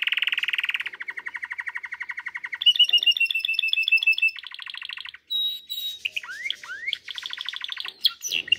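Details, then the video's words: Canary song in a long varied series of fast rolling trills at different pitches, a sweeping whistled phrase, rising slurred notes and a final burst of sharp chirps, with hardly a pause. "canary singing video best canary singing"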